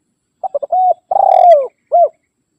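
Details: Spotted dove summoning rivals, a call used for luring and for training caged doves at home. Three quick coos, a steady coo, then a long rolling coo falling in pitch, finished by one short rounded coo. Quiet background.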